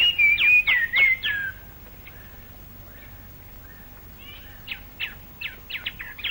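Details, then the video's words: Later in the day in a Malayan rainforest, recorded in the late 1950s to early 1960s, a plain babbler gives its forceful song: quick, steeply falling whistled notes several times a second, with chattering phrases breaking in after a short pause. "later in the day the plain babler goes over to a more forceful type of song interspersed with chattering notes [Music] [Music] o [Music] [Music] [Music] I d I"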